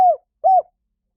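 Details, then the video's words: Spotted dove heard in a lure recording for wild doves: two soft, arched coos less than half a second apart, clean with no other sounds. "เสียงนกเขาใหญ่ หมานๆ ต่อเข้าเร็ว ป่าไหนก็เข้า"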